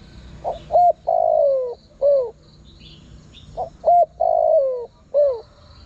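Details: Wild-bird lure of a spotted dove. The same phrase repeats twice: a soft lead note, a hooked note, a long descending coo and a drooping final note. Faint high chirps sound behind it.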